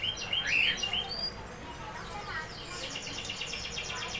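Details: Canary song: a few bright whistled notes and short sweeps, then a soft buzzy trill of rapidly repeated high syllables fading in the background.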